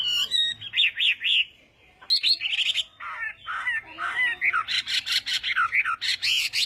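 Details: Morning voice-training song of a Chinese hwamei in fighting style: loud, varied whistled phrases broken by a brief pause, then dense rapid trills and bright slurred notes that build in intensity.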